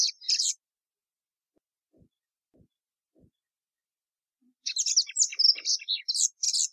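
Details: Plumbeous seedeater giving a short burst of high chirps, then four seconds of near silence with faint soft taps, before resuming a lively run of whistled and twittering song phrases.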